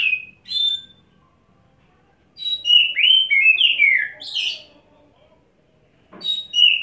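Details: A wet-set Oriental magpie-robin sings steadily from a single perch, showing off its filler repertoire: short whistles, a pause, then a loud chain of swooping, slurred whistled notes and a hoarse burst, ending with fresh whistles.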